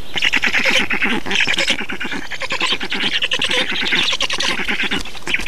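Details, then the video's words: Estonian black storks during feeding, 2 June 2019: an unbroken stream of coarse, buzzing, fast-pulsed calls, loud and even from start to end. "Estonian Black Storks - Feeding"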